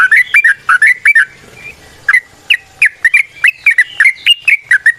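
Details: Wild yellow-vented bulbul giving a chattering 'ropel' song meant to draw other bulbuls: uneven runs of bubbly, slurred whistles and chirps, with a brief pause near the middle.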